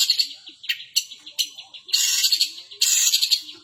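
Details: Long-tailed shrike mimicking a 'kapas tembak' song: scattered chirps and scratchy notes, then two long, harsh, rasping bursts.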